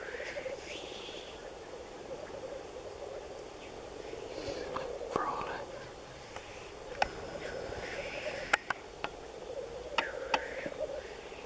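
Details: Seventeen black grouse males, with no females present, keep up a steady, low, dove-like bubbling chorus, broken by sharp hissing sneezes and occasional clicks.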